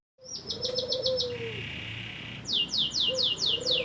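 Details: Canary singing vigorously, offered as a master recording for training songbirds: a fast high trill, a sustained buzzy note, then a series of rapid descending whistled sweeps, over a low steady whistled tone.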